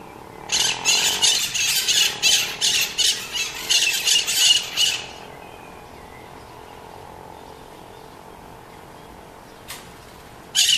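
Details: Scaly-headed parrot, known locally as maritaca, uttering a fast burst of harsh, scratchy squawks for about four seconds, then quiet with a low hum and two brief faint noises near the end.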